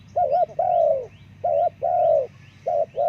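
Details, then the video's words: Spotted dove, locally called terkukur, used as a lure for forest birds: loud mellow coos around 600–700, short double notes alternating with longer drawn-out coos, repeated in quick succession over a low steady background hum. "Terkukur Suara bagus panggil burung hutan"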